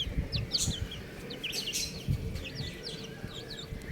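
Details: Several baby chickens peeping: short, high, downward-sliding cheeps in scattered bursts, with soft low thumps and handling noise underneath.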